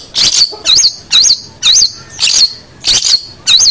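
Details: Long-tailed shrike, recorded to train other birds, giving loud grating notes with a wavering squeal inside each, repeated about twice per second, seven in a row.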